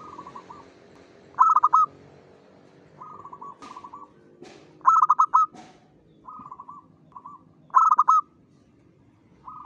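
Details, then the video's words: Dawn song of a local zebra dove, with soft purring rolls alternating with louder stuttered coo phrases, repeated several times over ten seconds; a few faint clicks and low background noise are also heard. "PANCINGAN SUARA PERKUTUT LOKAL GACOR SUBUH"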